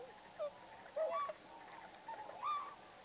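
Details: Tundra swans at Pocosin Lakes refuge in northeastern North Carolina, November 2017. Several clear, mellow, honking whoops, some rising at the end, stand out from a murmur of other swan voices.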